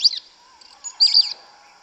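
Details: Yellow-legged thrush in the forest giving two short, high, twisting warbled phrases about a second apart, part of its 'canto mateiro' song, with soft background hiss.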